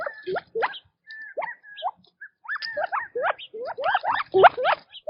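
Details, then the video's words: Quail feeding in their natural habitat, giving dense bursts of short upward-sweeping chirps, several birds overlapping, some notes long and level, with brief quiet gaps between clusters. "Quail Birdsong in Nature - Relaxing Chirping Sounds"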